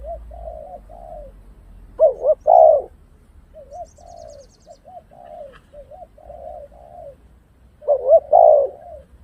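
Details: Spotted dove cooing, used as a lure: soft low hooting notes in short phrases, with louder emphatic double coos near the start and again near the end, over a quiet background.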